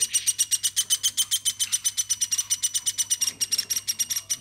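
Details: Woodpecker kept and hand-raised from a baby, calling nonstop indoors: a rapid run of loud, harsh high notes, about six to seven per second, evenly spaced throughout, with a faint steady low hum behind.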